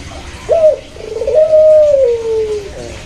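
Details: A single clear coo from a puter, the Barbary dove, pelung or local type: short opening note, brief rolling purr, then a steady sustained tone gently descending.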